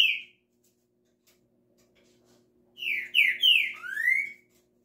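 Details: Green-winged saltator giving a single whistled note, then after a gap a bold phrase of three falling slurred whistles closed by a long upward sweep, over a faint indoor hum.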